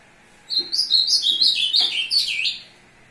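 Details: Ultramarine grosbeak singing to court a female on 2 June 2022: a loud two-second run of rich slurred notes gliding downward, finishing with a sharp rising twist, with faint clicks underneath.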